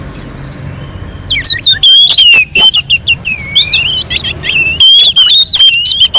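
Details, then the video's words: Orange-headed thrush from a mountain slope, singing loudly and continuously, used to lure other birds into song: a rapid, varied stream of clear whistles, chirps and sliding notes, some high and piercing, with brief gaps and faint background hiss. "kicauan anis merah sangat merdu dan gacor untuk pancingan"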